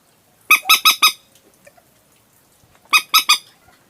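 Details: Night lure call of the common moorhen: a quick series of four harsh, nasal notes, a silence of nearly two seconds, then three more.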